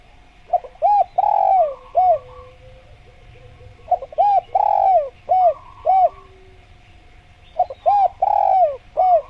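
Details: Spotted dove (tekukur) calling repeatedly in a natural jungle tutor recording for kept doves: three phrases about every 3.5 seconds, each short clipped notes, a long falling coo and a closing arched note, over a steady hum.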